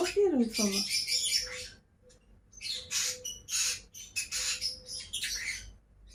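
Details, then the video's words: Two pet lovebirds calling: after a low swooping sound at the start, harsh broadband squawks come in loose bursts, with a faint steady hum underneath. "CİCİKUŞ SESİ----Cennet Papağanı"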